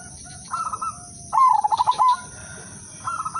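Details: Udanmas Silver zebra dove, a lure singer meant to make other doves join in. One loud rapid pulsed coo lasting under a second sits between two softer flat coo phrases from another dove, over a steady background whine.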